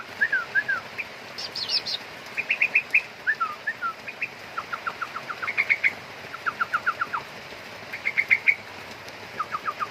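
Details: A young sooty-headed bulbul calls in lively runs of chirps and rapid series of falling slurred notes, with a few higher thin notes early on and brief pauses between bursts.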